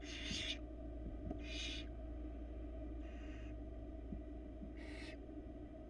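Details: Barn owls in a Florida nest box, 2022, with a rat brought by the male. Three raspy hisses and one softer, fainter one, spaced irregularly over a humming background.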